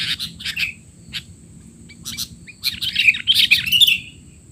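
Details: Sooty-headed bulbul in rowdy 'teler' calling, used as tutor sound for young bulbuls: spaced sharp chirps, then a dense burst of bright squeaks and slurred whistles near the end.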